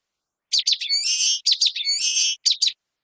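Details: Two song phrases of a common waxbill, each made of a few brisk high chips running into a long raspy buzz, with a short double note at the end. Nothing else is heard.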